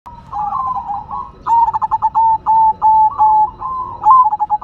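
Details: Zebra dove, a local Silver perkutut kept as a hobby bird, singing energetically: a stuttering series of soft, low coos with rapid pulsed notes, then longer level hooting notes, repeated in quick succession.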